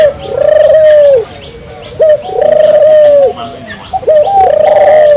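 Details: A singing turtle dove (burung puter), recorded to stimulate local doves to sing. Three rhythmic coo phrases sound about a second and a half apart, each a clipped rising note then a long pulsing coo that dips at the end.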